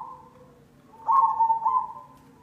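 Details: Black cemani zebra dove lure song: a faint coo, then one loud, bubbling, vibrato phrase lasting about a second before fading, over a low continuous hum.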